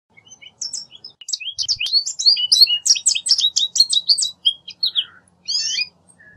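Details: American goldfinch song: a rapid, sweet twittering run of varied high notes lasting about five seconds, followed by a short pause and one final brief burst. No other sounds are heard.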